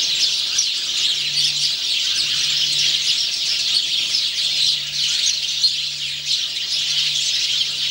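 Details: House sparrow male in song on 17 November 2009, giving a continuous chatter of high chirps and squeaky notes over eight seconds, with a faint low steady hum underneath.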